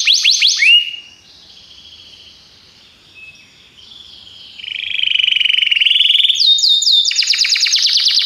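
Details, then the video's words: Belgian canary in a training recording for canaries: a few sharp descending notes, a softer stretch of rolling, warbling tones, then loud rapid trilling. "treinamento para canário belga"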